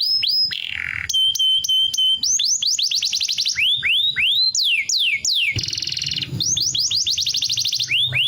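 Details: Green canary song of varied phrases: steady whistles, rapid rising-falling sweeps repeated in quick series, and a fast buzzy trill, delivered loudly without pause.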